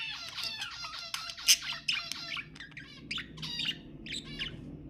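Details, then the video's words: Stacked, nasal budgerigar chirps repeated quickly in a run, then spaced squeaky calls, intended to set pet budgies singing. "تحفيز طيور البادجي أقوى صوت بادجي تسمعه"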